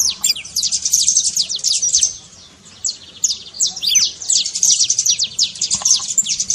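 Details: High, rapid trincado of a saffron finch, meant to set a quiet bird singing: fast descending chips in two long runs separated by a short lull of about a second.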